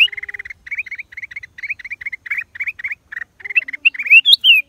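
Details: Black-crested bulbul, April 2023: a steady run of quick, slightly rising chirps, about three a second, ending in louder high whistled notes that rise and then fall.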